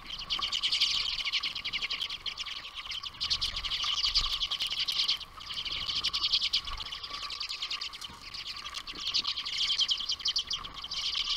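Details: Common redpolls at a boreal feeder in Ontario chatter in a dense, continuous twitter of dry, high chit notes, breaking off briefly now and then, with a steady lower hum underneath.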